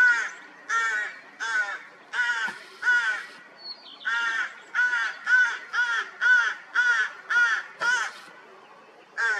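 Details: Newly hatched rook chicks in mid-May after a cold spring give harsh, rasping begging calls, about sixteen in nine seconds at an uneven pace, each a short hoarse squawk with a nasal edge.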